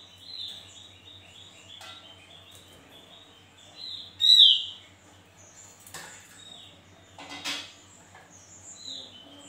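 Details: Javan white-eye singing with soft, rambling whistles, broken by one loud downslurred note and scattered sharp chips and clicks.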